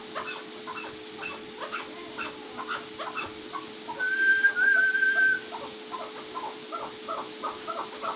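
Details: Quick runs of sharp chuck notes from a First Cross Maskati chukar partridge, broken mid-way by a person's wavering whistle, after which the bird resumes; a man then calls it over in Turkish, with a steady hum behind.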